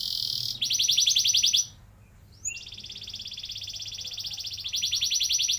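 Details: Song of a canary, used to coax young canaries into long rolls: a dense buzzy roll, a short pause, then a long, even, rapidly pulsing roll that runs to the end, with a soft low hum behind.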